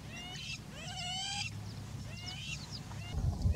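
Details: Double-banded courser at Amboseli gives three short bursts of thin, nasal, slightly rising notes about a second apart, over a steady low rumble of wind or an engine.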